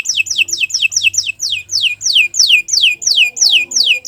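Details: Canary training song made of a regular run of loud, clear whistled notes, each sliding sharply downward, repeated about three times per second.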